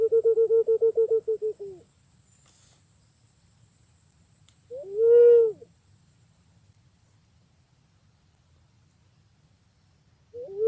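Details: Pink-necked green pigeon (punai pink) calling: a rapid pulsed series of mid-pitched notes slowing at the end, a long pause, one loud drawn-out whistled note, more quiet, then the start of another note. A faint electronic whine fills the first stretch.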